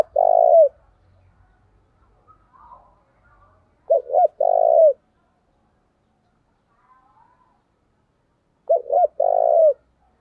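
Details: Decoy spotted dove calling hard to provoke rival doves to fight, its sound carrying over the area. The low mellow phrases of two short coos and one long burred coo come about every four to five seconds.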